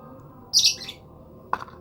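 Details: A lovebird lets out one piercing, high squawk lasting a fraction of a second, followed by a short dull knock; otherwise quiet with a soft background hum.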